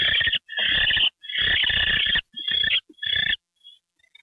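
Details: An owl given a mouse treat on the night of January 28, 2013, around 9:33 PM. Long rasping, hissy bursts alternate with shorter ones, then fade into faint scratchy traces, with soft low rumbling behind.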